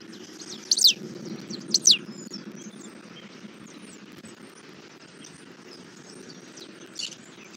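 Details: Adult male bald eagle at a Southwest Florida nest feeding an eaglet a catfish, 11:00 on 8 February 2024: two loud, piercing, steeply falling high notes about a second apart, then a fainter one, over insect hum.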